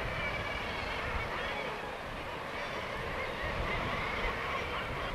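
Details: A guillemot breeding colony at Anglesey: a dense, continuous chorus of many overlapping growling, honking calls merging into a steady roar, possibly with surf or wind beneath.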